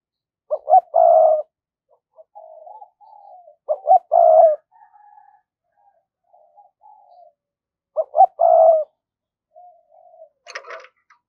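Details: Decoy spotted dove in 'giọng thổ' voice, calling to draw wild birds. Three loud coo phrases roughly every four seconds, each two clipped notes then a long hoot, with quiet murmurs and a sharp click at the end.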